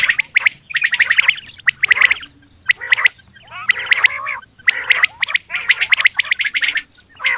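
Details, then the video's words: Calling male Coturnix quail gives dense bursts of rasping, buzzy squawks in quick clusters with short pauses. The calls overlap, suggesting more than one bird calling. "Male Quail Calling ,California Quail Sound - Bird Song/Call, Male Coturnix Quail Calls / Sound"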